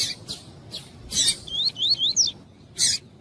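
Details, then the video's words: Tui-tui style double-collared seedeater with a calling female warming up the male: harsh chirps, then a quick series of four looping whistled notes, ending in another rasping burst. "COLEIRO TUÍ-TUÍ COM COLEIRO TUÍ-TUÍ E FÊMEA CHAMANDO ESQUENTAR COLEIRO"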